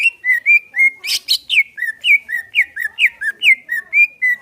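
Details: Greater green leafbird song played to prompt a caged bird to sing, a relaxed-style song; steady series of clear, slurred whistles rising and falling, about two per second, with a brief harsh burst near the start.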